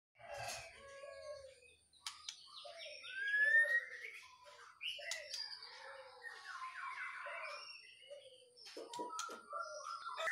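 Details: White-rumped shama singing vigorously while being set out in the morning dew: a varied stream of clear whistled phrases, upslurred notes and chattering runs, with short pauses between bursts and scattered clicks.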